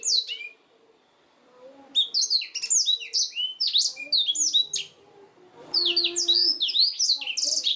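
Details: Black-throated canary song used as a master recording for training canaries: bursts of high, rapid twittering and chirped notes with buzzy trills, loud phrases separated by brief pauses, faint low tones beneath.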